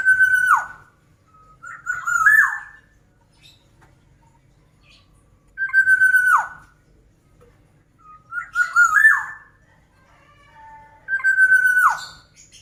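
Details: Black-naped oriole singing vigorously, repeating five loud phrases over about twelve seconds. Steady nasal whistles with falling tails alternate with short warbled, rising figures, separated by quiet pauses.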